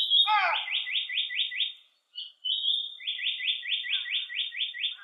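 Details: Japanese paradise flycatcher singing on a sunny 25°C day: a short sharp opening note, then a fast run of seven or eight buzzy, rolling, repeated notes, a brief pause and another similar run.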